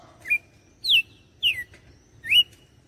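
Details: Red-cowled cardinal from Fortaleza, Ceará, in the "açoite" (whiplash) song style: four clear whistled notes, alternately rising and sharply falling, spaced roughly half a second apart against a quiet background.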